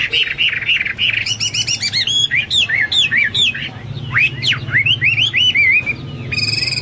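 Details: Energetic Hwamei song meant for tutoring pet songbirds: loud, varied whistled notes in quick bursts, looping upward and downward slurs, brief rapid trills, nearly continuous, with a faint low background hum.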